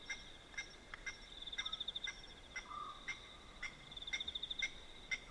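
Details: Blacksmith lapwings at night by a dam in Manyeleti Game Reserve, South Africa, give sharp, metallic anvil-like tink notes, about two a second, among varied calls, over a steady trilling chorus, likely frogs or insects.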